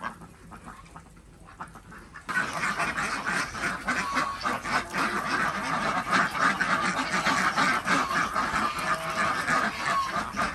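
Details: Village farm Desi ducks in Andhra Pradesh, recorded while eggs are gathered in the morning: a quiet start, then a sudden dense burst of raspy quacking from many birds that continues without pause.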